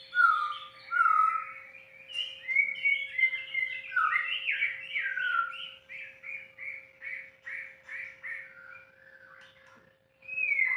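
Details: Unedited song of a white-rumped shama: loud, varied phrases of bright whistled and warbled notes, falling into a series of repeated short chirpy syllables, with a constant low hum in the background.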